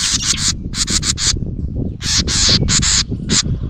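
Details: Agitated house wren at its nest, close to a GoPro Hero 9 Black, delivering short grating scold notes in quick groups of two to four, harsh and hissy, with steady low background noise.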